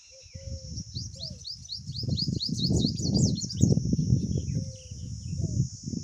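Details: Nesting pipit family, the mother hurrying to feed her young after one dropped from the nest: a rapid run of sharp rising chirps for about four seconds, partly masked by loud low rumbling and handling noise, with a constant high hiss.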